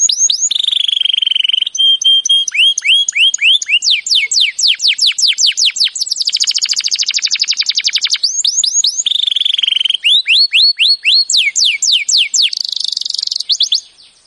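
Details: A long, varied canary training song: flat whistled tones, rising slurs, fast buzzy trills and quick chirping runs, each phrase repeated before the next.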